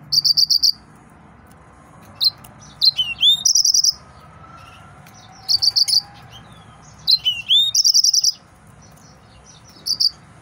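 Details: Male yellow-fronted canary, excited, delivering repeated bursts of short fast trills mixed with rising whistled slurs, several phrases across ten seconds, over a faint low background hum.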